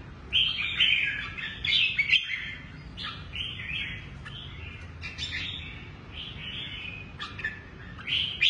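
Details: Red-whiskered bulbul kept in a cage, a Lân Tê bird with a shrimp-curved back and drooping wings that moves between two perches. Lively chattering warbles and whistled notes come in quick bursts, loudest near the start, then in scattered phrases.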